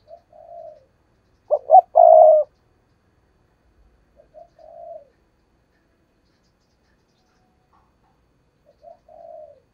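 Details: Decoy spotted dove giving an urging lure coo used to draw wild doves in for trapping: one loud, low, two-part cooing phrase with short clipped notes and a sustained final coo, between softer, quieter cooing phrases in silence.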